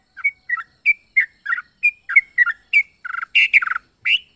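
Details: Yellow-vented bulbul with an unusual, varied song. Quick chirped notes come at a steady pace, then a fast stuttering trill of clicks and a few louder, harsher double notes near the end.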